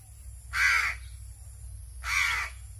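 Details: Hungry crow, kept and hand-fed, begging noisily while being fed: two harsh, hoarse caws about a second and a half apart, each roughly half a second long, over a steady low hum.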